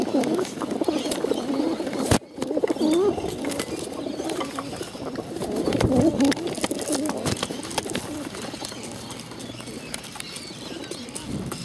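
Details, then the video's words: Bottle-fed pigeons, hungry, give low rising and falling moaning notes amid constant rapid clicking. There is a short loud knock early on, then a dense stretch of wavering calls midway. "hungry bottle fed pigeons"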